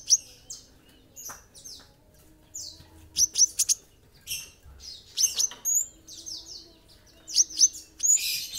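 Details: Olive-backed sunbird, known locally as kolibri ninja, singing actively: bursts of very high, thin chirps and quick downward-sweeping twitters in scattered clusters, with short quiet gaps between phrases.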